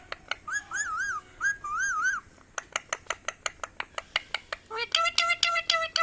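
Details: Pet rose-ringed parakeet, the ringneck parrot, giving wavering whistled phrases, then a fast series of sharp clicks, ending in a burst of harsher repeated squawk-like notes.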